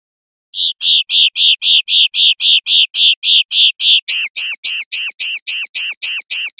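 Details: Common linnet, 'pardillo limpio' clean song from a 2025/2026 CD: a steady train of rich chirping notes about four per second, switching midway to a higher, arched note type at the same even rhythm; quiet background.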